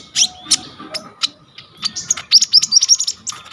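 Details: Konin, the brown-throated sunbird, sings a richly varied 'full isian' song meant as tutor material for young kolibri ninja. Sparse sharp ticks are followed by a rapid, rising string of bright high whistled chips. Recorded on a vivo y21 phone.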